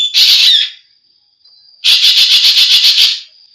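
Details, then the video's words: Green magpie (ekek geling) recorded as training audio for kept songbirds: a short harsh screech, then a fast, even, chattering rattle lasting over a second. "suara burung ekek geling"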